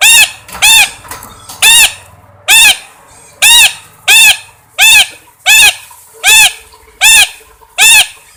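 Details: Parrot repeating one ringing, arched squawk about every three-quarters of a second, eleven nearly identical calls in a steady series over a faint low hum.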